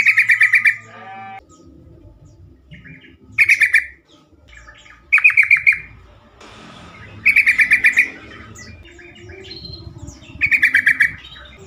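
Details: Sooty-headed bulbul (trucukan), used as a lure to make other bulbuls answer and sing more. Five short bursts of dense, buzzy chatter arrive roughly every two to three seconds. Quieter rustling and low background noise fill the gaps.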